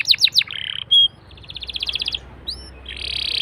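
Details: Canary song used as a prompt to get other canaries singing: quick downward-swept notes, a short buzzy trill, a steady run of rapid repeated notes, then a rising whistle and a harsh buzzy phrase.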